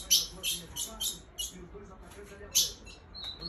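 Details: Female ultramarine grosbeak's call, given to excite males: a handful of loud, sharp, metallic chips, singly and in close pairs, separated by short pauses, over a quiet background.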